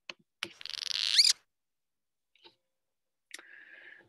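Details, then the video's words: Cliff swallow call, distinct from the danger 'z' call, given only on cool, cloudy days when flying insects are scarce: a harsh, buzzy burst ending in quick rising squeaks, then a lower rasping buzz after a pause. "that sound is a sound that cliff swallows only make on cool cloudy days"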